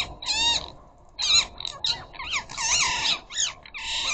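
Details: Several ring-necked parakeets squabbling at a bird feeder: loud, strident, rising-and-falling screeches in quick succession, harmonically rich and nasal, nearly continuous over the last half.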